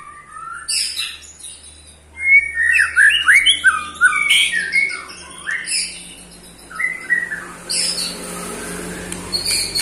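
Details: Eight-month-old white-rumped shama, a Pastol-type murai batu, giving its ketrekan, provoking other shamas: varied whistled phrases and harsh buzzy rattles, rising and falling notes in quick bursts after a quiet start.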